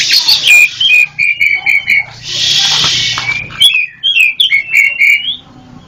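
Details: Black-chested Oriental magpie-robin of the local East Java form, a masteran recording: clear whistled notes repeated in quick runs, broken by a loud harsh buzzy rasp in the middle, then more bright whistled phrases.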